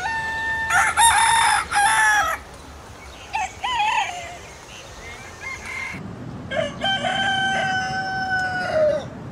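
A rooster crows twice: loud, harsh, multi-note cock-a-doodle-doo phrases, the second a long drawn-out crow, with softer clucks in between.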